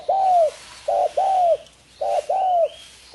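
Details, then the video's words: Spotted dove cooing, a bird now scarce in the wild because of hunting, though many breeders raise it: soft, low, hollow coos in paired groups, a short note then a longer drawn one, repeated twice. "Suara Kicau burung tekukur mardu banget"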